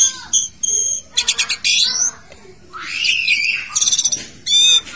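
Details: Asian pied starling singing from a bathing cage: ringing whistles, scratchy buzzy bursts, a wavering rising phrase and quick stuttering chirps, closing on layered clear notes.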